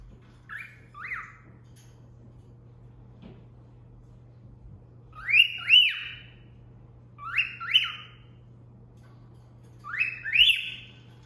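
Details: Female pet cockatiel whistling a cat call taught by its owner: clear two-note whistles, a rising sweep then a second swooping note, given in four bursts about every two to three seconds over a steady low indoor hum.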